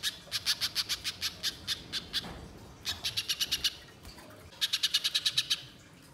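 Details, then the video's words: Spiderhunter chattering energetically as a wild-bird lure: three bursts of quick, sharp high chips, each about a second long, separated by short gaps. "Masteran Pijantung Gacor Nyerecet Panjang Untuk Suara Pikat Di Alam Liar"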